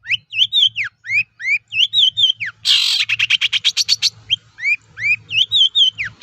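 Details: Long-tailed shrike singing to provoke other shrikes into answering: repeated slurred whistled notes, a burst of loud harsh chatter mid-phrase, then the whistles resume, with a faint low hum beneath.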